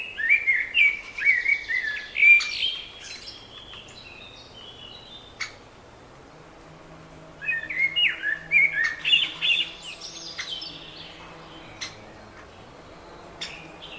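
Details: Spring birdsong: two bursts of rapid, varied chirping and trilled phrases separated by a pause of a few seconds, with a few scattered single chirps and a faint low hum in between.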